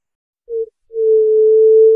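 White-tipped dove giving a soft, low hoot, then a long, steady, mournful whoo on the same pitch. No other sounds are heard.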